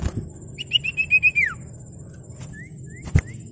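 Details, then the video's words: Common iora song meant to draw rivals and set other ioras singing: a rapid string of high whistled notes sliding down at the end, then a few faint rising whistles against low background noise. "Sirtu Gacor Memanggil Lawan Ampuh Merangsang Bunyi Sirtu Manapun"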